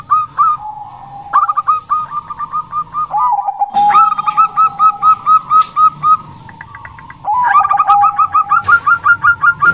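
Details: Busy Bangkok zebra dove song: phrases of fast, evenly repeated short coos, separated by brief pauses, with higher and lower notes interleaved.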